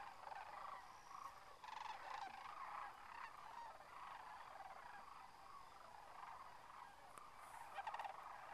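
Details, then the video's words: Sandhill cranes lifting off at a winter roost in Whitewater Draw, McNeal, Arizona, thousands strong, making a far-off, continuous chorus of rattling, bugling calls that rises in bursts over a constant hiss. "Sandhill Cranes Liftoff"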